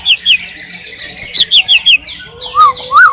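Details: White-rumped shama singing in the wild, Indonesia: a series of quick high descending whistles, then two lower, rounded arched whistles.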